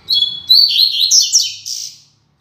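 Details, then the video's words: Rusty-collared seedeater giving the classic "Tui Tui Zel Zel" song, used to train young birds: a lively burst of high whistles, fast trills and slurred chips, lasting about two seconds and fading at the end. "Tui Tui Zel Zel Canto Clássico Ideal Para Encarte e Treino de Coleiros"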